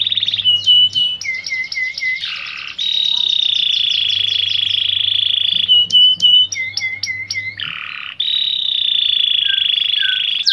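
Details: Canary singing a long, loud, continuous song. It alternates sustained buzzing rolls around the upper-middle pitch with short repeated slurred notes and sharp clicks, with barely a pause over ten seconds. A faint low hum runs underneath.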